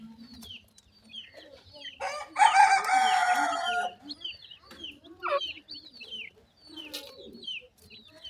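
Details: Feeding francolin (teetar) chicks make repeated high, falling peeps. A louder, rough, drawn-out sound lasts about a second around the middle, and other scattered chirps overlap it.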